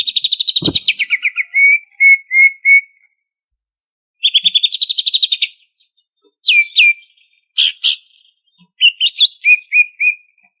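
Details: Greater green leafbird from Banyuwangi singing energetically, ngentrok style with full fill-in phrases. Long rapid buzzy trills end in clipped slurred notes, with a varied sequence of sharp chips, swoops and descending whistles afterward. A single low knock is also heard.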